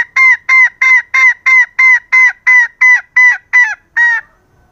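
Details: Female green junglefowl calling to lure males: a loud, even run of twelve nasal, honking notes, about three per second, each slightly falling, with no other sounds.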